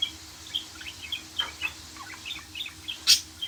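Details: Budgerigar song: quick chattering chirps and little rising squeaks, with a harsh, loud burst near the end over faint background hum.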